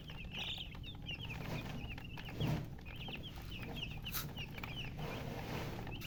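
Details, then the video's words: Baby chickens thirsty for water give spaced, clear high peeps, each a short downward-curving chirp, fewer callers than a full chorus, with a knock and soft low rumble behind. "Murgi chicks Chirping sounds with thirst for drink water"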